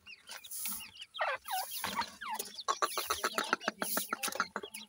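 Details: Grey francolin chicks (dakhni teetar): a busy run of short curved chirps, some dropping and some rising, mixed with quick sharp clicks that repeat about three times a second, getting denser toward the end.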